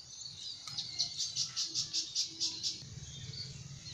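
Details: A Javan kingfisher, known for its loud voice, calls while it watches for prey from a rice field. It gives a quick rattling run of about nine harsh, evenly spaced notes over a soft low background rumble.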